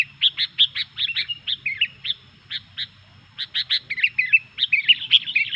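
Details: Sooty-headed bulbul chattering vigorously, a sound said to provoke its rivals: evenly spaced clipped chirps in runs, broken by brief pauses, mixed with twisting slurred notes toward the end; faint low hum.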